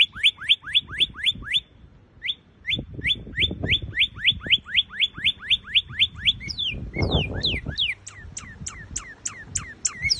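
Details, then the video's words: Northern cardinal, found in North America, delivering a long rapid series of upswept whistles, a short break, more of the same, then switching to quick downward-slurred notes; mild low rumbling underneath. "O cardeal Norte Americano. Conheça o canto desse cardeal estrangeiro."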